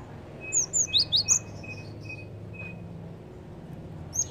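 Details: Java sparrow calls played to lure birds: five sharp, high chirps in a fast burst, each slurring downward, then a pause with a faint thin tone and a final pair of chirps at the end, over a low background hum.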